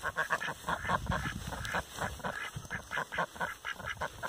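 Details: Rouen ducks at a breeder's farm, a steady series of short, nasal quacks repeated about every quarter second, some overlapping, with faint low background noise.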